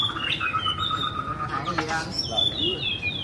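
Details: A long steady whistle from a white-rumped shama, then a burst of noise and high sweeping whistled notes that slide downward.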